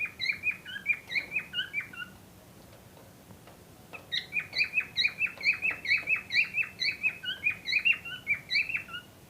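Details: Cockatiels, a pair said to be ready for breeding, repeat bright, clipped chirps about twice a second in two long bouts separated by a pause of nearly two seconds.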